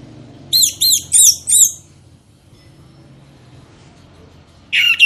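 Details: Orange-headed thrush singing, played as a lure to get birds singing: four loud arched, ringing notes repeated about every third of a second, then a pause with quiet hiss before a short burst of harsher notes at the end.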